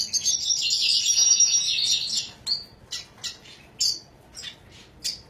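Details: Red siskin, known as طاران فنزويلا, pouring out a dense high twittering warble for over two seconds, then switching to short separate chirps spaced roughly half a second apart.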